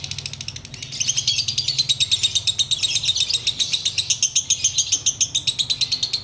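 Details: Sooty-headed bulbul in ngekek style, a long unbroken chatter of rapid high pulses about three and a half per second, starting softly and then growing louder and steady, with faint low hum beneath.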